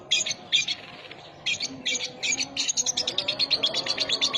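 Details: Lovebird singing in the 'sogon isian' song style: harsh high chirps in short bursts that then run into a fast, even series of sharp ticking notes, over faint constant background hum.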